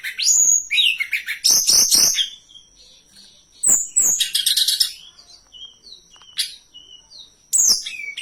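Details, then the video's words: Hill blue flycatcher song for luring and training birds: varied bursts of fast sweet whistles mixed with harsh buzzy rattles, interspersed with quieter high descending notes, over a steady faint high whine. "Masteran dan Pancingan burung Tledekan gunung paling ampuh dan fenomenal"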